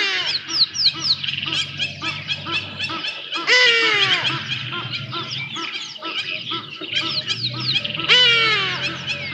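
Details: Juvenile Black Sparrowhawk searching for food at Djuma Private Game Reserve, 5 January 2024, live camera recording. Two strong, nasal, downward-sliding wails are heard about four seconds apart, over constant twittering from small birds.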